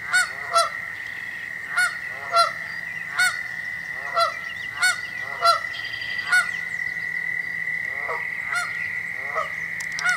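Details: A Canada goose standing on an arbor calls out danger with loud, harsh honks, about one every two seconds, over a steady high insect-like drone in the background.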